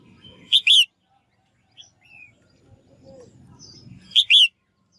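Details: Female bird calling to get males singing: two loud phrases of a short chirp then a sweeping harmonic note, roughly three and a half seconds apart, with faint thin whistles and low background noise.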